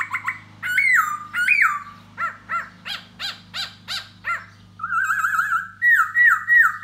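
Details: Laughingthrush called khướu da bò, singing and dancing to win over a female: bright whistled slurs, then a steady series of repeated harmonic notes about one per second, then a warbling trill and looping whistles, with low hum beneath.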